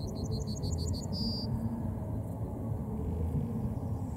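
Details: Yellowhammer phrase with a rapid string of about six bright, high repeated notes closing on a drawn-out flat note, followed by quiet with a persistent low-pitched rumble.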